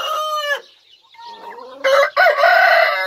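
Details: Rooster crowing: a loud harmonic note ending a first crow, a quieter wavering murmur, then a strong drawn-out cock-a-doodle-doo broken by a brief gap.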